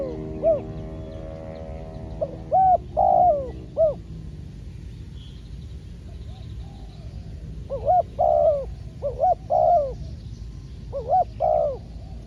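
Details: Spotted dove decoy calling while being trained to lure wild doves. Groups of three to four soft coos come in three bursts separated by quiet gaps, each phrase ending with a longer falling note, over low rumbling background noise.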